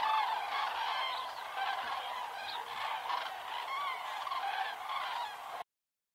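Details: Autumn flocks of common cranes staging on the Hortobágy steppe in Hungary, flying in the evening to roosting sites; steady distant chorus of many overlapping trumpeting calls, slightly fading mid-clip before cutting off.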